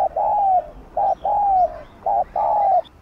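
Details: Gù (bo) cooing by a spotted dove for stirring captive birds to sing: three pairs of a clipped coo followed by a longer, gently falling coo, close and clear.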